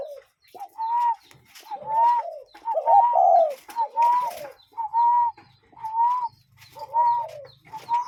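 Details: Cuckoo heard in nature giving a steady run of about eight hooting calls, each a clear slightly arched whistled note with a lower tone beneath, roughly one per second.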